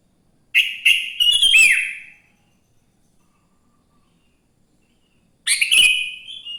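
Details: Sooty-headed bulbul singing in the morning to encourage other bulbuls to sing: two bright, chirpy phrases of rapid notes, about five seconds apart, the first ending in a sliding fall.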